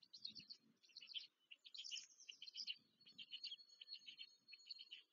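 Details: Black stork chicks at the nest near Łódź, Poland, being fed on 14 May 2023: dense bursts of harsh, wheezy squeaking in quick irregular runs, with brief gaps between groups and a low rustling beneath.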